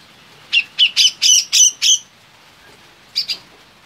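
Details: Grey-cheeked bulbul (cucak jenggot), a popular contest songbird, singing actively: a loud run of six harsh, squawky notes about a quarter second apart, then a pause and two softer notes, with a quiet background.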